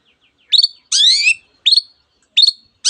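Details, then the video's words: Long-tailed shrike singing with mimicked canary and other bird phrases: short sharp high chirps repeated roughly every second, with one longer, richer rasping warbled phrase in between. "cendet gacor nembak nembak rapat isian kenari dan banyak jenis burung yang masuk masteran"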